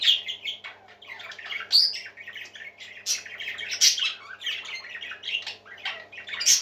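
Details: Happy parakeets singing together: a steady, busy stream of chattering warbles, squawks and sharp squeaks overlapping throughout, with occasional louder shrill notes standing out.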